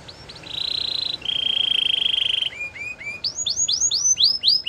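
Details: Belgian singing canary song aimed at attracting canaries: flat, buzzy sustained trills stepping lower in pitch, followed by a quickening series of arched rising-falling notes over a faint background hiss.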